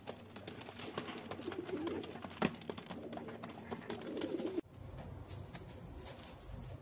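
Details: Low cooing rises in two bursts from a 2022 group of young racing pigeons kept in a garden loft, heard through heavy rustling and scraping. The noise drops away abruptly near the end.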